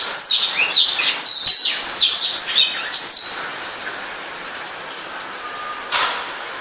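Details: A newly acquired Black-throated Canary (Serinus atrogularis) sings a rapid, high jumble of twittering notes and trills for about three seconds, then falls quiet with faint background hiss.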